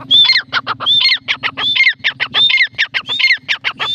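A francolin gives harsh, grating squawks packed with rapid clicks and short rising whistles, repeated in a fast, insistent chatter; a low hum runs underneath.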